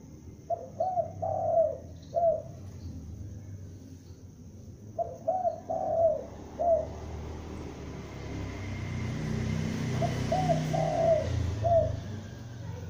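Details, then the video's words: Young spotted dove used as a lure, calling loudly in short cooing phrases of three to four soft notes, repeated in groups, over steady rumbling background noise. "Tekukur Pikat gacor anakan Berbunyi Memanggil"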